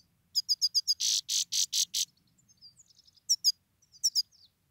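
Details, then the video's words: A male Grey-crowned (Himalayan) goldfinch that nearly died gives a call: five quick, high, tinkling chirps, then four harsh buzzy notes, then scattered twittering and a few more bright chirps. "Позовка седоголовый щегол,самец"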